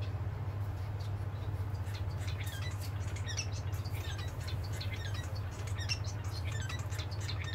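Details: Several pet society finches (Lonchura striata domestica) indoors in the evening before sleep, 29 December 2020, trade short, high chirps and soft chattering notes, about two a second at an uneven pace, over a steady low indoor hum.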